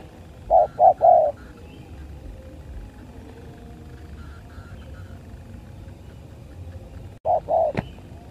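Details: ['Fighting spotted dove gives a quick series of three mellow coos, then long quiet with low rumbling background, followed by another pair of coos and a sharp click near the end.']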